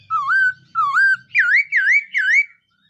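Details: Five loud, fluty whistles from a black-throated laughingthrush during morning voice training, each note dipping then rising, the later ones higher and wavier, over a faint low rumble.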